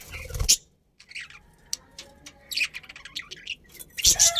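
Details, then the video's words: A breeding pair of budgies in a colony gives sharp, bright chirps and quick twittering notes in scattered bursts, with a brief silence near the start. "Cute Budgies Chirping Sounds"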